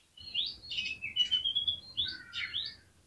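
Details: Oriental magpie-robin song aimed at drawing other magpie-robins into song: a continuous, soft, varied warble of slurred rising and falling whistles lasting about three seconds.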